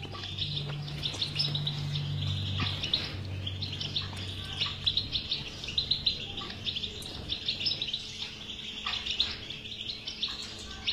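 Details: European goldfinch song played to stimulate a silent goldfinch to sing: bright, high twittering chirps and trills repeated steadily throughout, over a low steady hum and faint background rumble.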